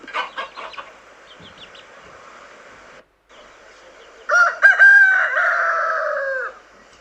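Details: Rooster delivering a clear drawn-out crow that rises then slowly falls, after a few short clucking notes over a steady background hiss.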